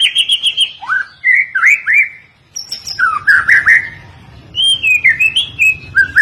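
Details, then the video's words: White-rumped shama training song: a fast burst of ringing notes, then varied slurred whistles rising and dropping, a short pause, and more rich fluty phrases mixed with sharp high clicks. "kicauan murai batu Miwah masteran burung"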